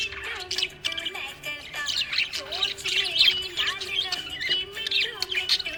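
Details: A contented budgerigar pours out fast, twittering chirps and scratchy squawks in an unbroken stream, with a low wavering tone, possibly music, beneath the bird's chatter.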